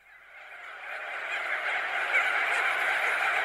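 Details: Crested auklets, thousands of birds perched and wheeling overhead, give a dense, unbroken chorus of nasal honking calls that swells from quiet to full volume within the first second and a half.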